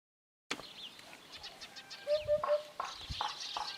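A hoopoe gives three soft, low, hollow hoots in quick succession, over busy chirps and whistles from other birds.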